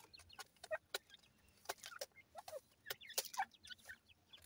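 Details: Grey francolin chicks calling while being fed: short high cheeps and rising chirps scattered through, mixed with sharp clicks and taps.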